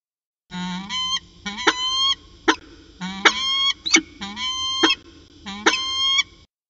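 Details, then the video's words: At CSU Orange on the afternoon of 13 January 2019, a pair of peregrine falcons in long discussion: repeated grating, upslurred wails, each cut by sharp clicks, about six bursts in quick succession over a constant low hum. "Peregrine Falcon Long Afternoon Discussion"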